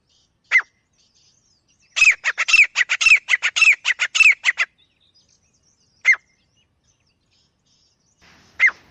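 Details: Wild francolin in jungle, starting with a lone squawk, then a dense two-and-a-half-second flurry of harsh, rapid notes, followed by two more single spaced squawks.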